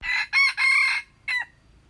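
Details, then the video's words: Red junglefowl crowing, recorded 21 February 2025: a loud four-part crow of three long harsh, ringing syllables followed by a short clipped final note, over a quiet background. "tiếng gà rừng gáy"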